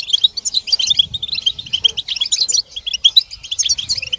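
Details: Stimulating twitter of several European goldfinches, mating and readiness calls for rousing males into song; short sharp tinkling notes come in fast bursts, layered and nearly unbroken.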